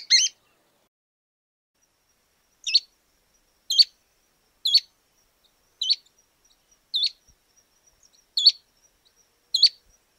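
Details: Pale-breasted Spinetail (pijuí frente gris), one of Argentina's common birds, gives short, high, two-part buzzy notes, repeated about once a second against a quiet background.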